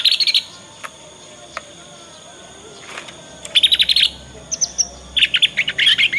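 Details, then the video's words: Young Yorkshire canary learning its ngriwik song, used as a lure so other canaries respond and learn quickly; bursts of fast, high, buzzy repeated notes in short trills, separated by quiet pauses. "Kenari Manapun Pasti Nyaut dengan pancingan masteran kenari paud ini"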